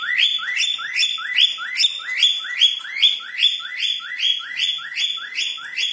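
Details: Cockatiel whistling a person's name: a steady string of bright rising whistled slurs, about two and a half per second, each sweeping upward and ending on a sharp high note, with no other sounds.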